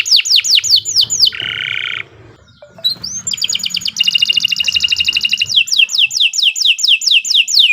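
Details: Canary singing a lively song meant for training: repeated descending whistles, a buzzy roll, a brief pause, then dense trills and more sweeping notes.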